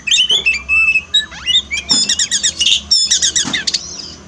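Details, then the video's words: Oriental magpie-robin song used to coax a caged bird sluggish after its moult: clear whistled notes, a swooping slur, then rapid repeated buzzy trill phrases, bright and high-pitched. "terapi kacer malas bunyi turun mental pasca mabung paling efektif"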